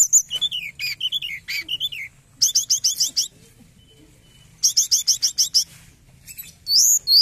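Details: Forktail known as tledekan gunung, used as a trapping lure: strings of quick slurred whistles, two bursts of rapid, evenly spaced high chips, and a final long falling whistle.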